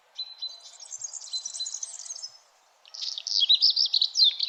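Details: Early-morning birdsong at sunrise, high and twittery: a sustained stream of thin, fast chirps, a gap of about half a second, then a louder burst of rapid, tumbling notes that continues to the end.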